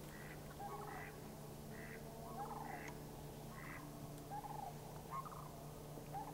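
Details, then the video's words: Rattling, bugling Sandhill Crane calls from three birds responding to passing cranes, Anchorage, Alaska, May 1, 2011; rough rolling notes with bright overtones come in a quick, steady series over a constant low drone. "Three Sandhill Cranes calling to cranes flying past"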